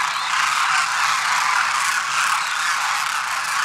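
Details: At Khichan on 4 February 2021, a large flock of demoiselle cranes calls together in a steady, dense din of overlapping rolling, trumpeting croaks, with no single voice standing out.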